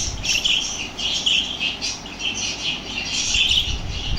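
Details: Lovebirds excited by played lovebird sounds, keeping up steady, shrill, buzzy chattering with repeated high chirps throughout, over a low rumbling background.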